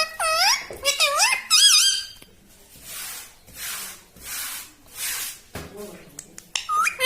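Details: Pet talking parrot, known to say "mitthu" and "mummy": three loud, harmonic, swooping rising-falling calls in the first two seconds, then soft breathy voice-like bursts and a final rising squeak.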